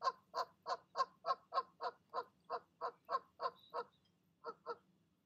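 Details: Mother goose, urged on by the gander, calling her goslings to take the leap from the nest at dusk; rapid rhythmic honks that fade slightly, pause, then end with two final calls.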